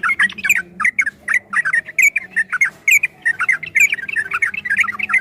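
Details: Yellow-vented bulbul in long rapid 'ropel' style song, made as a training track for caged birds: dense bubbly chattering notes around two kilohertz, tumbling in quick uneven bursts with brief gaps, low hum beneath.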